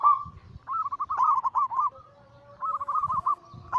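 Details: Zebra dove, a Bangkok-cross local perkutut strain, in anggungan cooing used as a lure to set other doves singing: two bursts of bubbling, rapidly stuttered coos at mid pitch with a short gap between, over faint low rumble.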